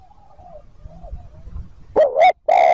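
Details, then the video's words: Spotted dove coo used to lure wild birds: faint wavering coos in the distance over low rumbling noise, then a loud close two-part note followed by a long resonant coo. "TIẾNG CHIM CU GÁY THÚC GÙ KÍCH BỔI NHANH NỔI CỰC SUNG, MỒI NGHE LÀ GÁY"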